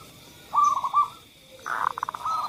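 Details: Zebra dove song used as a lure for doves that rarely sing: two short bursts of soft, cooing notes, with a faint steady tone behind.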